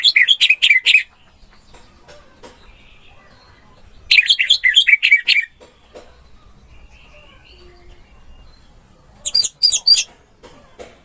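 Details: Orange-headed thrush song, a masteran training track for a bird that has stopped singing: three dense, rapid bursts of bright, buzzy whistled notes, each about a second long, separated by several seconds of near quiet.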